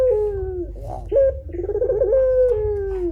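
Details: Pelung-type turtle dove calling: a low, drawn-out mellow coo that falls slightly, a brief rolling warble, then another long sustained coo, all rich and hollow.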